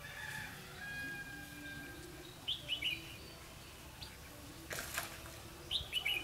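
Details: Decoy red-whiskered bulbul singing competitively to draw wild birds into a trap, 4 November 2016; brief sharp chirpy phrases near 2.5, 5.8 and 6 seconds, with a loud broadband burst of noise near 4.8 seconds and low hum throughout.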